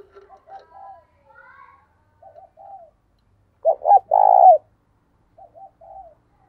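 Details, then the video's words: Lure spotted dove cooing to call in wild birds, in thúc and gáy styles: scattered soft, low coos, then one loud phrase of two short coos and a long rolling coo, followed by quieter paired coos. "Tiếng Chim Cu Mồi THÚC Và GÁY GỌI Bổi"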